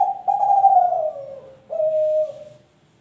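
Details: Young spotted dove of Kelantan type, three months and 25 days old and bred from champion stock, giving low, hollow coos: a long drawn note gliding slightly downward, then a shorter steady coo.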